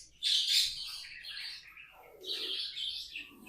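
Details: Tame budgerigars singing, with a loud rasping chirp that slides downward into softer chatter, then another burst of scratchy warbling.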